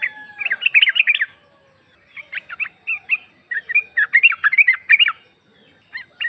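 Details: Female sooty-headed bulbul calling the male, used as a lure: clusters of quick, tumbling chirped notes, some rising and falling, broken by short gaps across several phrases.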